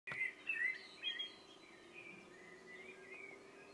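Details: Common blackbird (Turdus merula) singing at dusk gives a few loud, fluted warbling notes in its first second, then fainter twittering phrases over a low steady hum.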